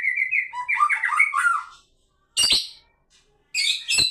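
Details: White-rumped shama in song, used as a lure sound. It gives a rapid jumble of whistled and warbled notes, followed by two loud, harsh, clicking bursts after short pauses.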